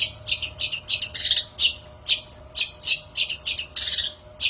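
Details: Long-tailed shrike song for luring shrikes: rapid grating chatter notes about three per second, with two brief clear whistles mixed in, and a faint steady hum behind.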